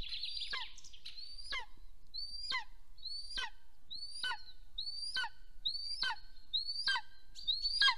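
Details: Golden eagle calling at the nest in Soomaa National Park, southwestern Estonia, caught by a nest camera on the morning of 1 April 2024 as the male comes home. Sharp, high yelps rise and then drop steeply, about nine in eight seconds.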